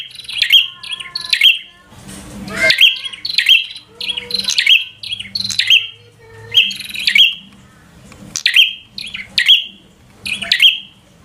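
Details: Fighter-style 'gacor' song of a bar-winged prinia, used to anger a rival into fighting: pairs of piercing, chirpy whistled notes repeated in quick clusters, with a brief rustling burst of noise near the start.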